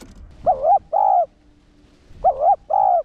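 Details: Spotted dove lure bird giving its one-ending 'hậu gù' call to excite caged males. Two paired phrases, each a dipped coo followed by a steady, longer hollow note, with faint low rumble beneath.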